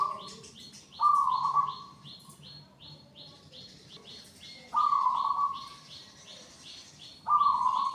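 Zebra dove cooing in three loud, low, rolling bursts spaced a few seconds apart, while another bird keeps up rapid high chirps throughout.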